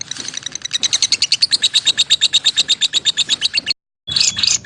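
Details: A lovebird gives a fast run of high, ringing chirps that stops abruptly. A brief silence follows, then a harsher squawk-like note.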